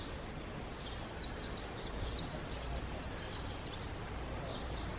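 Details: Eurasian wren singing near Taureana in the toe of Italy: high, rapid trills and twittering phrases, including a fast run of repeated notes, behind steady broadband rushing noise.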